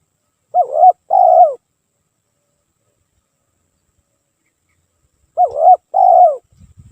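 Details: Nonstop spotted dove lure song: two matching coo phrases about five seconds apart, each a wavering note then a longer falling note, with faint low rustling at the end.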